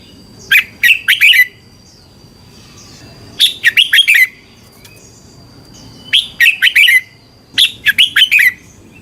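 Red-whiskered Bulbul singing short, bright, bubbly phrases of four or five chirpy notes, repeated every few seconds, over a faint steady high hum.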